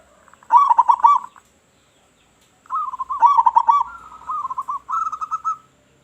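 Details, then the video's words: Local zebra dove calling loudly to attract other zebra doves: two long warbling coo sequences, each a chain of rolling, slightly quavering notes at steady low pitch, separated by about a second of quiet. "Perkutut Lokal Gacor Suara Besar Suara Paling di Sukai Burung Perkutut"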